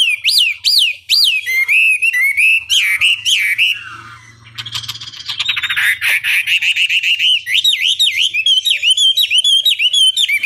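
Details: Chinese hwamei song used as a long lure recording to provoke a rival into answering: loud, varied whistled phrases that rise and fall, bursts of harsh chattering notes midway, then rapid repeated looping whistles.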